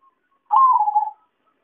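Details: Zebra dove coo used to lure birds into traps: a single vibrating, gently descending phrase of about two-thirds of a second against a quiet background.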